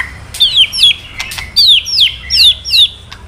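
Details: White-rumped shama male with kretekan notes to rouse another male: high downslurred whistles given in pairs, about five in three seconds, with a few dry clicks.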